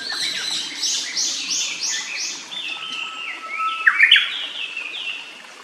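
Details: Japanese paradise flycatcher singing in a quiet wood near its nest, beside a clear stream. A quick run of five arched, whistled notes, about four per second, then lower drawn-out tones and a sharp louder burst over steady water murmur.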